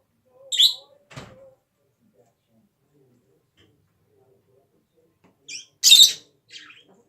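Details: Pet parrot coughing: a short harsh cough-like burst early on, a louder rasping burst near the end with softer squeaky notes beside it, and quiet gaps between.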